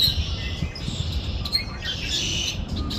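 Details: Birds chirping in nature: overlapping high twitters and brief whistled notes, busier in the second half, set against steady low-pitched rumble.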